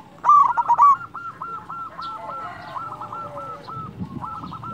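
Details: Melodious local zebra dove used as a lure to raise other doves' urge to sing: a loud opening burst of rapid cooing notes, then a steady, softer series of evenly spaced coos.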